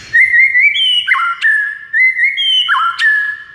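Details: White-rumped shama song intended to get a silent bird singing: a smooth rising whistle dropping to a lower note, the same phrase delivered twice with sharp clicks between, very clean.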